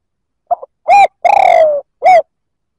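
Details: Spotted dove cooing to provoke other males: a brief soft opening note, a clear hollow coo, a long drawn-out coo that slides slightly downward, then a final clear coo, with no other sounds.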